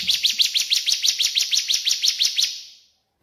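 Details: Cililin or ciblek singing on a masteran training track for cage songbirds, a clear run of high, bright, rising chirps about six per second that fades away over three seconds.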